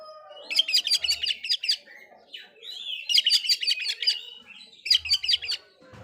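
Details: Oriental magpie-robin song used to make rival magpie-robins angry: three long bursts of fast, harsh repeated chirping, with a soft slurred whistle between the first two.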